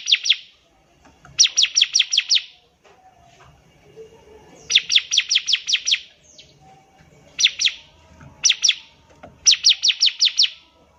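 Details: Bar-winged prinia, song for training young birds: repeated bursts of five to seven rapid, sharp descending chirps separated by pauses, with occasional single or paired notes.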